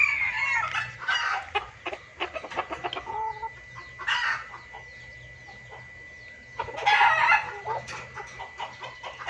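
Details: Junglefowl lure sound: rough cackling bursts at the start, a quieter stretch of scattered clicks, and a loud cackling phrase near the end, with a low hum underneath.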